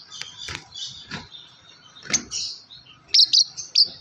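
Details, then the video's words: A yellow lovebird gives scattered high chirps and ticks, with a louder raspy chirp midway and a closing run of three bright, piercing squeaks. "Lovebird yellow chirping sound"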